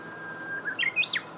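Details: Japanese bush warbler singing: a short held whistled note, then a quick run of rising and falling clear notes climbing higher, ending in a bright slurred flourish, over a faint steady high-pitched tone.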